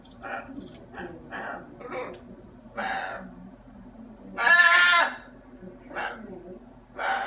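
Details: Pet macaw chatters indoors: a run of short, rough, syllable-like utterances, then a loud harsh squawk and a few more bursts, with a person speaking just before.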